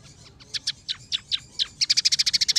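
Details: Scaly-breasted munia (emprit peking) singing a tutor song filled with sparrow, red siskin and canary phrases. Spaced, downslurred chirps give way to a fast, even series of bright high ticking notes.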